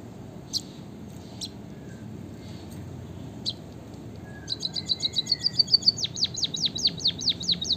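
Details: Scattered high clicks from a white-headed munia (emprit kaji) build into a quick ticking trill, then a chain of evenly spaced, sharply falling whistled notes.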